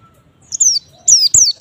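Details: Short snatch of white-eye song intended to provoke other white-eyes: a few high, clear whistled notes, each sliding steeply downward, after a brief quiet start.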